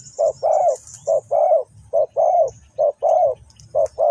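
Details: Decoy spotted dove from Ninh Thuận, Vietnam, calling to draw wild doves toward a trap: soft hollow coos, each clipped note followed by a longer drawn-out one, repeated in an even rhythm, with thin bird twitters far in the background.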